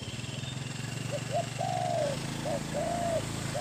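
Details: Captive decoy Spotted dove with a big voice, kept for luring wild doves in Thailand. Short soft coos build into drawn-out hollow crooning notes. A steady low vehicle hum runs underneath.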